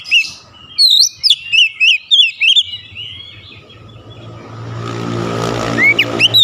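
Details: Oriental magpie-robin (kacer), caged, challenging a rival with its song: a quick series of loud bright whistled chirps, then a passing vehicle rumbles and a couple of rising notes follow.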